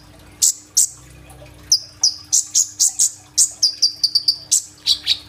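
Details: Kolibri ninja sunbird in full, loud song used to draw other birds, recorded by phone: high sharp chirps, then a faster run of ringing notes and short whistled phrases.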